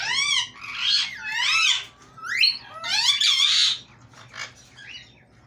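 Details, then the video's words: Talking pet parrot, said to speak Urdu, gives loud, high, sharply sliding squawky phrases, some rising and some falling, in several bursts over five seconds, fading into softer, shorter calls at the end, indoors with little background noise. "talking parrot"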